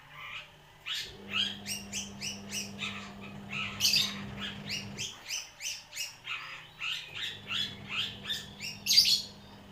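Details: Young long-tailed shrike about one year old, song filled with imitations of bar-winged prinia and sparrow; rapid run of short high chirps and sharp notes, dense and repeated, with a steady low mechanical hum beneath.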